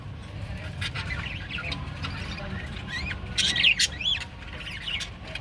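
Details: Japanese budgerigar family kept together, giving soft warbling chatter with rising and falling chirps and a brief louder burst of squeaky notes midway, over steady low background hum.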